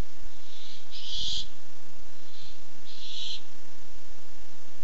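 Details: Nest-cam Barn owl arriving in search of food, 7 August 2015, gives loud scratchy screeches about two seconds apart, each preceded by a softer, shorter rasp.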